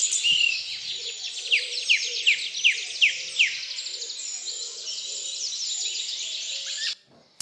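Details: Bird chorus recorded in France: many birds sing at once in a dense, unstructured wash of high twittering, with a run of sharp, falling chirps about three times a second early on.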